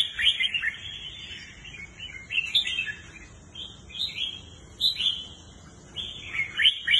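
A red-whiskered bulbul sings bright, liquid, warbling phrases in short bursts every second or so, over a faint low background hum.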